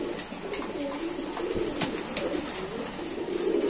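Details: Kept pigeons cooing in a pigeon-keeping setting: soft low rolling coos, muffled and repeated, under a steady hiss of background noise with a few sharp clicks.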